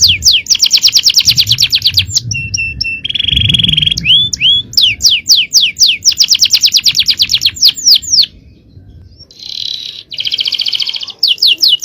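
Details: Canary singing a long, fast champion-style song: dense runs of swept whistles, buzzy rolling trills and short tonal notes, alternating in rapid bursts with brief pauses, with faint music underneath.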